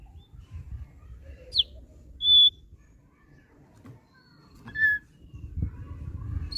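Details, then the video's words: Kept thick-billed heleia singing: a sharp, high, downslurred whistle, then a clear, steady whistled note and a lower, short whistle after a pause, over a soft low hum. "SUARA MANIS YANG KELUAR DARI BURUNG RAWATAN OPIOR PARUH TEBAL"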